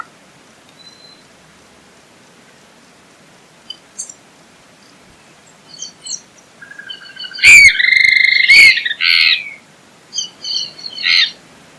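Swainson's flycatcher gives a loud, burry, nasal call near the middle, then a few short rough notes. Faint chips come before it against a quiet background.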